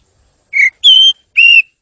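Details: Oriental magpie-robin song recorded as a master track for training other songbirds: three clear whistled notes, the middle one longest and steady, each separated by short pauses, with no other sounds.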